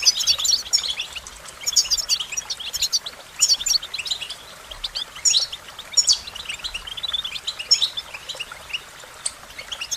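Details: Rapid twittering song of an American goldfinch in phrases of high chirps and thin whistles, pausing briefly between bursts, background otherwise quiet.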